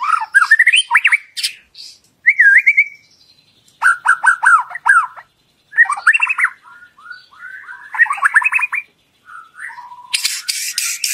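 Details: White-rumped shama song played as a lure to coax other birds into singing: varied bursts of rich whistles, slurred upsweeps and rapid trills, separated by short pauses, ending with harsh scratchy notes.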